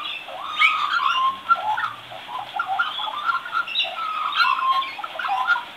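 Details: Young magpie practising its song: a continuous, quiet-to-moderate rambling warble of mixed fluting whistles, gurgles and scratchy notes, varied and unstructured throughout.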